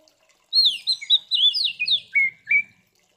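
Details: Oriental magpie-robin singing in fighting mode to provoke other magpie-robins, one phrase of quick whistled slurs descending into two drawn-out flat lower whistles, faint low murmur beneath.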